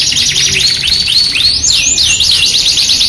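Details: Lure song of an energetic Yorkshire canary, paired with an AF canary with luxurious cengkok: rising and falling arched notes, slower and more spaced, building into a chain of high swoops.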